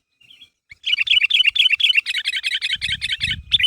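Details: Sooty-headed bulbul calling its companions to draw a reply, in full voice: a faint note, then dense, fast chattering of bright whistled notes running almost without pause, with a soft low rumble near the end.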